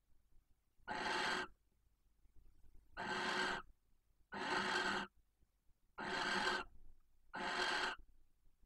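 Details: Barn owl pair at a nest box near Casa Palillos visitor centre, Cabañeros National Park, at night during mating; the submissive female calls intensely for the male. Five harsh, hissing screeches, each about half a second, spaced one to two seconds apart.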